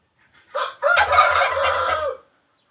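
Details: Wild chicken crow for trapping, loud and near: a short hoarse note, then a long grating phrase held well over a second before stopping abruptly, with a low thumping beneath.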